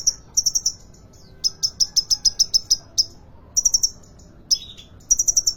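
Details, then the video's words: Kolibri ninja sunbird from a Depok bird market delivering quick strings of thin, piercing high notes, one long rattling series in the middle, short gaps, and a brief lower buzz near the end. "Kolibri ninja konin gacor dor"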